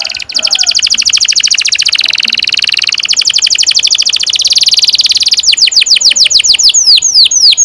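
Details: Canary singing a long rolling song of the 'ngerol panjang' style, used as a lure to train young canaries: dense rapid trills of high notes for over five seconds, then slower, separate downward-sweeping whistles near the end.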